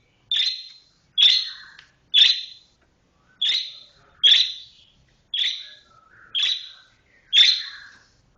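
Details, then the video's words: Cendet, or Long-tailed shrike, giving 'roll speed rapat' song: eight loud, harsh, downward-sliding high notes, each followed by a faint trailing burr, spaced about a second apart in quiet surroundings. "cendet roll speed rapat"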